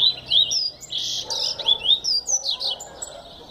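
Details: A double-collared seedeater delivers a rapid, lively warble. Loud, high chirps and slurred whistled notes follow one another almost without pause, with a faint low hum underneath.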